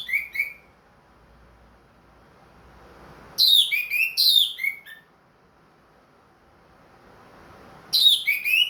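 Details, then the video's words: Caged ring-bred orange-headed thrush singing after finishing its moult: three separate bursts of varied whistled phrases, each a tumble of sliding notes dropping in pitch, with quiet gaps between. "MERANGSANG ANIS MERAH BUNYI PLONG"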